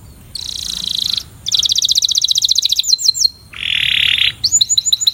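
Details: Canary training song, sung to improve singing: high buzzy trill, a short pause, a quick rolling series, a few slurred whistles, then a lower harsh buzzing tour, closing with rising repeated notes.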